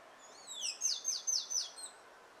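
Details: Male Carib grackle singing while courting his mate: thin high whistled notes sliding downward, then four rapid bright descending strokes roughly a fifth of a second apart, ending in a faint trailing note.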